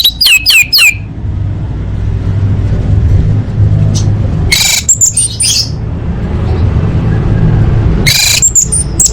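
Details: Orange-headed thrush in full isian style, a master recording for training competition birds: three short bursts of bright, fast, sweeping high notes, each under a second and spaced several seconds apart, over a steady low rumble.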